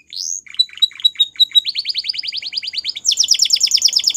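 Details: Belgian canary singing: a rising note, a string of short chirps, then a fast trill that jumps higher into a rapid rolling phrase.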